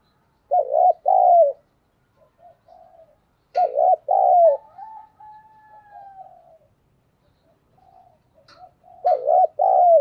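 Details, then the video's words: Spotted dove used as a lure bird to provoke other doves into cooing, in a quick-cooing local voice style, gives repeated soft low coo phrases of two or three rounded notes, with clicks and a faint drawn-out tone between phrases. "cu gay kich boi nhanh noi gù"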